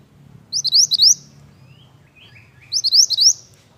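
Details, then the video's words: Pied bush chat singing vigorously: two bright, high phrases of four or five quick rising whistled notes, each under a second, separated by a pause with fainter lower notes and a low background hum. "BURUNG MANTENAN GACOR MANTAP"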